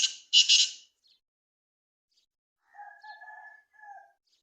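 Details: Black francolin (kala teetar) kept outside a cage gives two loud, harsh, scratchy bursts at the start. A quiet gap follows, then a steadier tonal note from something else.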